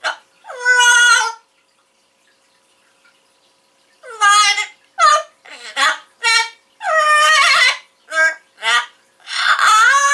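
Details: Max, an Amazon parrot, sings his own version of 'Take Me Out To The Ball Game' in a squawky, voice-like warble: one phrase, a pause, then a run of rising and falling sung syllables.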